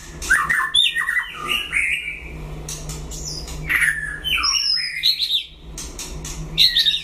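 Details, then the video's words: White-rumped shama in a one-on-one singing contest, giving dense varied whistles, slurs and harsh chattering notes in quick bursts separated by short pauses, over a low hum. "File Lửa đấu solo (shama bird)"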